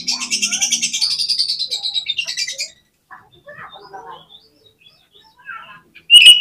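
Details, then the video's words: Oriental magpie-robin (kacer) singing 'gacor' to prompt contest birds into 'konslet' song: a fast buzzy trill lasting over two seconds, then quiet scattered chirps, ending with an abrupt loud whistle. "SUARA KACER GACOR INI BIKIN MUDAH ON KONSLET DI LAPANGAN"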